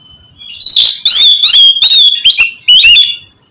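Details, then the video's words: Oriental magpie-robin singing in the loud 'ngeplong' style, a recording meant to stimulate reluctant birds to sing: one quick run of six harsh, ringing notes that slide and slur together. "terapi kusus untuk penggacoran burung kacer yg masih malas bunyi atau macet"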